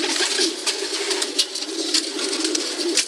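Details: Pigeons cooing in chorus, a deep, continuous burbling, broken by frequent crisp clicks and brief fluttering bursts.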